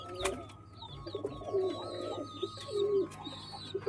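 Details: Pigeon cooing: low, throaty rolling coos in short phrases near the middle and end, with small birds chirping high in the background over a steady mechanical hum.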